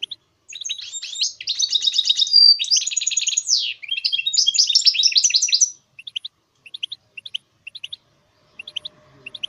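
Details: A goldfinch mule delivers a loud, continuous phrase of rolling trills, rattles and sliding whistles for about six seconds, followed by evenly spaced soft double chirps.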